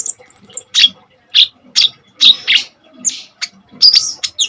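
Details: Common iora in full song, intended as a tutor for untrained kolibri ninja birds: a thin high tone, then spaced, sharp, very high chirps and clicks with short pauses between, over a quiet low murmur.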